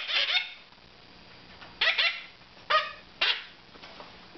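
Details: Moustached parakeets almost two months old, in May 2009, give harsh, raspy squawks in short bursts, about five in four seconds, while hungry at formula feeding time; faint room noise underneath.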